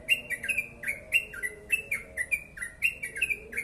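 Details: Rapid, closely spaced bubbly notes from a yellow-vented bulbul in long ropel-style song, each note a short downward or upward slur, delivered in quick pairs.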